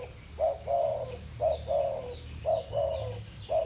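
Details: Two spotted doves in the thổ bầu voice style call against each other: a short low coo followed by a longer drawn-out note that slides gently downward, pairs repeating about every second, with faint high chirps behind.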